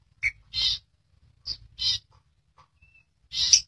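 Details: An albino, red-eyed long-tailed shrike giving three harsh, rasping bursts about a second apart, with a brief thin whistle and a faint low rumble behind.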